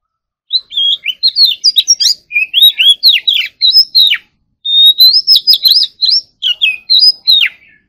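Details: Oriental magpie-robin, kept caged, singing during morning practice: fast sequences of clear whistles and slurred notes with crisp clicks, a short pause midway, then a long level whistle leading into rapid varied phrases.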